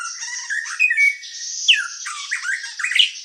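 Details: White-rumped shama song used as a master track to provoke singing: varied squeaky, scratchy phrases with short slurred whistles, mixed and uneven.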